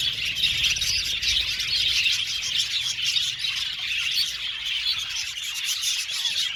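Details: Colony of budgerigars kept in an aviary, overlapping twittering and chirps from many birds, with quick notes pulsing roughly every second through the busy high chorus.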